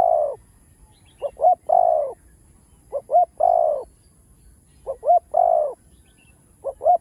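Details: Loud spotted dove (cu đất) cooing: quick paired hoots followed by a long hoarse coo, phrases repeated every two seconds or so, four phrases in all.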